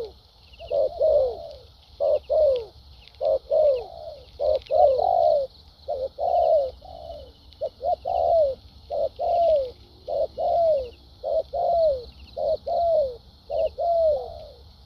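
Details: Caged decoy spotted dove from Vietnam with a fighting temperament, cooing a structured song in the lèo dặm style with thúc gù notes: short clipped coos alternating with longer falling notes, about fifty phrases a minute, over a steady high hiss.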